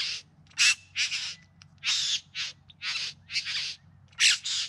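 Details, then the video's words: Bowerbird in courtship display, filmed in September in the Yarra Valley near Melbourne, Australia: a run of harsh, rasping, broadband churring notes, about a dozen bursts with short gaps, plus one thin whistled note early on, over a low steady background hum. "Bowerbirds Singing and Dancing"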